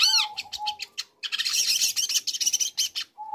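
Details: Young long-tailed shrike in song, used to provoke other shrikes into singing: a dense run of harsh, scratchy chattering notes and rapid high ticks, opening with a downward-swept whistle, with a low steady whistle in the background.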